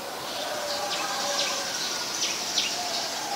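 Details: In Ubon Ratchathani, Thailand, 9 February 2023, an adult common tailorbird gives high, sharply downslurred notes at irregular intervals, a few each second, partly masked by a steady hissing background.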